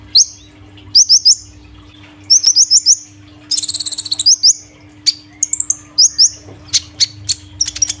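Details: Caged kolibri ninja sunbird, bought recently and singing loudly three days after moving cage: high, thin chirps repeated in quick pairs and triplets, with a rapid buzzy trill midway and a faint steady hum behind.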